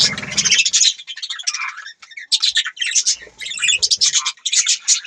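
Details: Budgerigar chirping: fast chattering warble of bright chirps and buzzy notes, broken by brief pauses, continuing steadily throughout.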